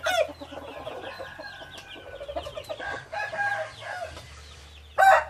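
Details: Hybrid junglefowl rooster crowing amid steady chirping from other birds: a moderate crow in the middle, then a loud burst starting right at the end.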